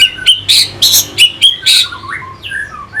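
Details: Orange-headed thrush song used to stimulate fighting birds, kept bird, northern Bali: loud broken phrases of harsh buzzy notes and short whistles, a burst about every quarter second, ending in softer sliding whistles.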